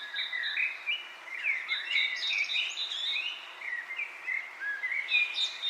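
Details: Birds chirping as wind blows through leaves: a busy twitter of short, rising and slurred whistled notes overlapping continuously, with a soft rustling hiss underneath.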